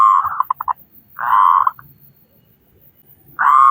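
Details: Local zebra dove with a big voice, sung to prompt other doves: a few quick stuttered coos, then a drawn-out rolling, buzzy trill, a pause, and the start of another trill.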